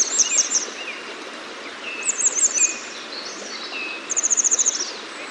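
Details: Grey wagtail (Motacilla cinerea) by a fast-flowing shallow stream at a mill weir, UK: sharp, high, metallic 'tzit-tzit' call bursts, three runs about two seconds apart, with softer lower notes and the steady rush of running water behind.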